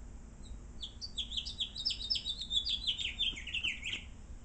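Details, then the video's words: A house finch, which sings every morning and all through the day, gives a rapid, jumbled warble of high, slurred notes lasting about three seconds, with a faint low hum underneath. "House Finch"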